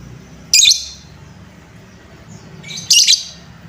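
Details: Shrill lovebird squawks used as a lure to rouse other lovebirds: two short, piercing, scratchy bursts roughly two and a half seconds apart over a faint low hum.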